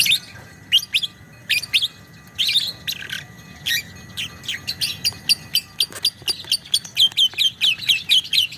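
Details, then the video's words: Lovebird in 'ngekek panjang' style: spaced shrill chips that quicken into a fast, even rattle of sharp high notes in the last seconds, loud and clear over a faint hum. "kicau burung lovebird biola ngekek panjang"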